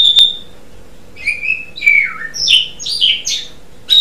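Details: Asian pied starling, gacor song: a sharp click and a high whistle, a pause, then a string of descending slurred whistles and buzzy rising notes.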